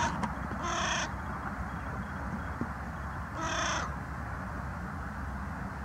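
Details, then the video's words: On the ground on 22 January 2020, a carrion crow gives two hoarse, harsh caws about two and a half seconds apart, with steady low-frequency background rumble. "Maintenant retour au sol et on continue les croassement."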